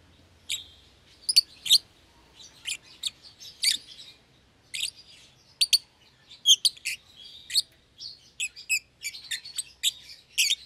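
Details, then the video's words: Caged pair of young lovebirds, euwing green opaline and red-eyed albino, put together in a one-pair cage; irregular high, squeaky chirps, scattered at first, then crowding into quick runs toward the end. "Lovebird Chirping Sounds"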